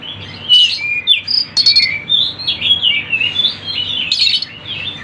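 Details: Sunda bush warbler (tledekan gunung) in a busy training-and-lure recording: quick high twittering notes and slurred whistles, rising and falling, with loud bursts around the first and fourth seconds over a faint low hum.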